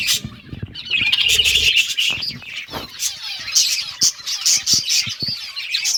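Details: Several pet budgies eating green food keep up busy high chirping: a steady bright warble with scattered sharp tweets, plus short bursts of wing flutter and a few clicks.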